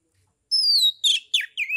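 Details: Kept Oriental magpie-robin from Kebumen, Central Java, giving 'ngeplong' song to rouse rivals into singing: a long, pure, slowly falling whistle followed by three rough, chattering descending notes.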